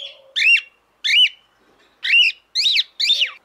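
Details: Female cockatiel calling to the male: loud harmonic whistles, each rising then falling, arched notes repeated about every half second to one second in short series, with a faint low steady tone between calls.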